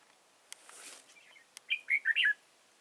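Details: Caged decoy red-whiskered bulbul at a trap at Chùa Hương, Vietnam, 31 March 2018: a few sharp taps and soft rustling, then a clear four-note warbled phrase of rich, slurred whistles.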